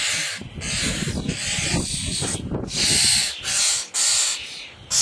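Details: Starling nestlings begging at feeding time make loud, harsh, sizzling hiss-like calls, nearly continuous, with low rumbling handling noise underneath in the first half.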